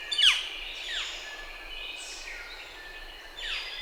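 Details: Northern flicker uttering several loud, high, downslurred calls, each sliding sharply lower, spaced roughly a second apart with a longer pause before the last, over faint background hiss.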